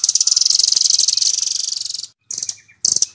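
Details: Velvet-fronted nuthatch known locally as Rambatan, 'Doraemon' song type: a fast, piercing rattle of high notes running for two seconds, then two short bursts after brief gaps.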